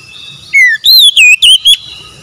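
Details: Loud, close Oriental magpie-robin phrase, part of a therapy track for stressed, mute birds: a descending whistle, then four clear wavy whistled notes in quick succession.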